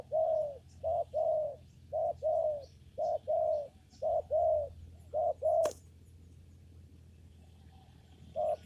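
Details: Spotted dove cooing rhythmically in a papaya garden while being trapped with a lure: quick series of short-long coo pairs for about five seconds, a sharp click, then quiet before one more coo.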